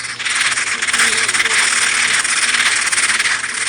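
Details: Red-breasted sapsucker chicks begging their parents for food from inside their nest: a steady, hissing, buzzy chorus of high-pitched, unbroken calls, with a faint voice underneath.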